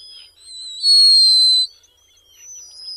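A Black guillemot gives thin, high whistles: a faint wavering start, then one loud, drawn-out piercing note lasting nearly a second, followed by softer whistles.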